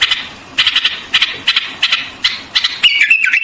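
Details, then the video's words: White-eared bulbul giving bursts of harsh chattering notes at regular intervals, closing with a clear whistled phrase that wavers downward. "White-Eared Bulbul Song"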